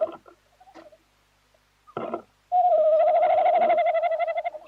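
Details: Tawny owl, recorded 11-01-2026: a few short knocks and rustles, then a loud, sustained hoot with a fast tremolo lasting about two seconds.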